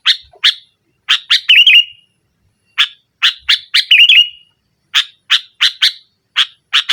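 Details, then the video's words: Energetic sooty-headed bulbul singing to challenge a rival, meant to coax a silent bulbul into song: bursts of rasping chatter, each followed by a short warbled trill, repeated twice with gaps between. "Suara Burung Kutilang Gacor Menekan Lawan NGGARUDA, Pancingan Kutilang Mogok"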